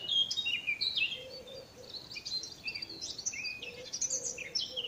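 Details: One of two Eurasian blackcaps nearby sings a loud, scratchy, very noisy warble of quick, varied high notes that runs on almost without pause, as if not knowing when to stop; soft, low hooting notes sound faintly in the background.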